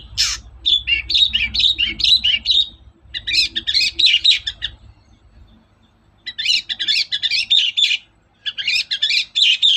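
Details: Long-tailed shrike (cendet) in the morning, used as a lure so other shrikes sing: long bouts of rapid scratchy chattering twitter about four notes a second, broken by short pauses, over a low hum.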